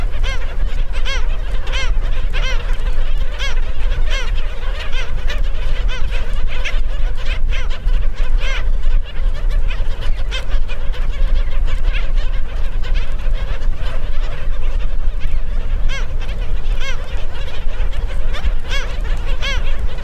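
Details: At the Celery Fields in Sarasota, Florida, a busy flock of black skimmers in mating season gives nasal, barking yaps over a steady low wind rumble.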